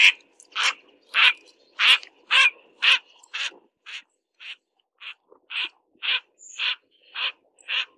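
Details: Mandarin duck during mating giving harsh, raspy calls about twice a second, roughly fifteen in a row, loud at first and then slightly softer.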